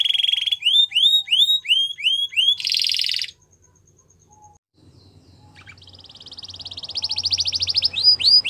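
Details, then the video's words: Belgian canary, a female, singing in the morning: repeated arching whistles and a short buzzy trill, a quiet pause, then a long rolling trill with closing hooked notes. "Canary Female Singing | Belgian Canary Singing In The Morning"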